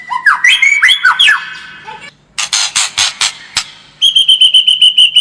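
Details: White-rumped shama giving a combativeness-boosting lure song: arching whistled notes, then harsh buzzy bursts, then a quick series of evenly repeated high whistles.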